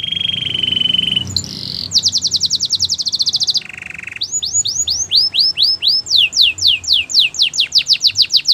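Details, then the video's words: Varied Gloster canary song opens with a steady high whistle, moves into a quick trill, a low buzzing note, then a rhythmic run of looping, downward-sweeping whistled notes. "Gloster canary singing"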